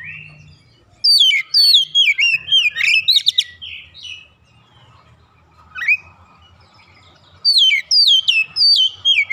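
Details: Young untrained oriental magpie-robin in a training recording, singing actively and showing off its learned filler phrases: bursts of clear, falling whistled notes with sharp chirps, a pause, one rising whistle, then another rapid run of descending whistles.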